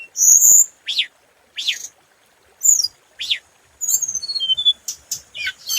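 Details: Scarlet minivet singing a lure-style song. Sharp high whistles and steep downward-sweeping notes come in quick bursts, ending in a run of small descending whistles.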